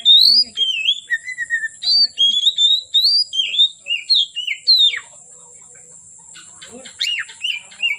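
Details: Oriental magpie-robin singing as afternoon turns to night: five seconds of rapid fluty whistles and falling slurs, then a quieter stretch ending in a few harsher chattering notes, over a constant high electronic whine.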